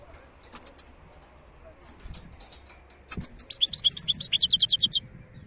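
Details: Wild European goldfinch gives a few isolated high chips. A long, bright twittering phrase follows, ending in a fast trill of sharp repeated notes.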